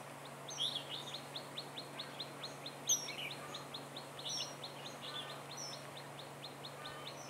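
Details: Red-whiskered bulbul at a trapping site on 15 March 2018, with a decoy bird luring wild birds: a fast run of short, sharp chirps, a few louder bright notes standing out, over steady low hum.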